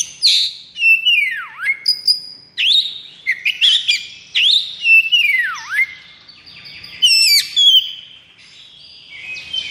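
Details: Oriental magpie-robin in a cage, in the 'konslet' state of high breeding condition and aggression, sings repeated deep swooping whistles that dive and rise, mixed with high sharp chips and trills.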